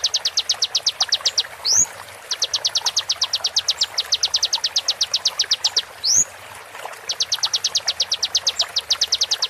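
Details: Konin song prepared as tutor material for songbirds, full of sharp shots: long trains of quick, high, evenly spaced ticking notes, twice interrupted by a bright upward-sweeping whistle.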